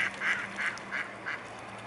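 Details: Mute swans in a family group, 15 September 2015, 19:05: a series of five brief nasal calls spaced roughly every third of a second, fading slightly toward the end, with steady background hiss.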